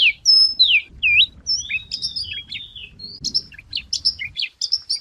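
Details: White wagtail singing on a lure recording: clear whistled notes, some sliding up and down in U-shapes, then a fast run of short high chirps and twitters, over a faint low rumble.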